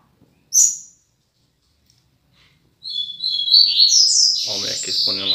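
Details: A caged female Double-collared Seedeater, bathing in the morning sun, gives a thin, high note, then a run of bright, rapid chirps and short trills in a call, with a man speaking over the end.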